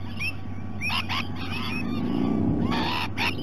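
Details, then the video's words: At breakfast time, Rainbow lorikeets visit in Sydney Olympic Park, Australia; rasping screech bursts in close pairs alternate with thin rising chirps, over a low rumbling hum. "Visit of the Rainbow Lorikeets at breakfast time"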